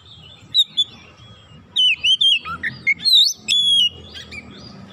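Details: Oriental magpie-robin song meant to trigger singing in other magpie-robins: a few soft chirps, then a lively run of dipping whistles, low notes and a looping whistle, finishing with a sustained clear note over faint hum.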